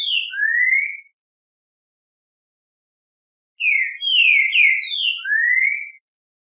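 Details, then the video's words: Green-winged saltator song of loud, clear whistled notes: a short two-note phrase, then after a pause a longer run of five slurred notes, the last rising. "O MELHOR CANTO PARA ESQUENTAR QUALQUER TRINCA FERRO"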